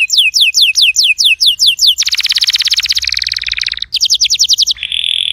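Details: Canary song for a canary that has stopped singing: a series of sliding whistled notes, then a long fast buzzy trill, more clear falling whistles and a steady high tone at the end.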